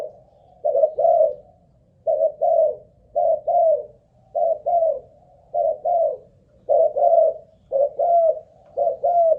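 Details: A decoy spotted dove keeps cooing under an endurance test, with soft, low, double-noted coos repeated regularly after a short silent start, in a quiet indoor setting.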